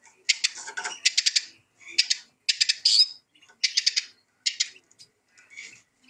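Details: Eurasian siskin singing in short clipped bursts of dry, rapid twittering notes, separated by brief pauses, with a few isolated chips near the end.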